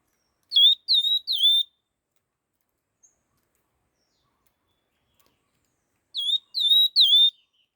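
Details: A laughingthrush sings fast, repeating a triplet of clear downward-curving whistles, with a long quiet pause of about five seconds between the two phrases.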